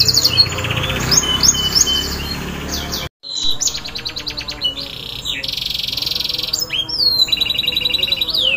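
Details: Canary song meant to coax a quiet bird into singing, with fast high chirps and trills, a brief gap of silence, then dense buzzy rolls and repeated twittering phrases.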